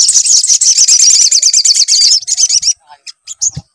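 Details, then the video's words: Sogon sunbird song used as a lure to make a bird sing. A continuous stream of rapid, very high, wavering twitters lasts nearly three seconds, then breaks into a few short chirps. "PANCINGAN SUARA SOGON AGAR BUNYI"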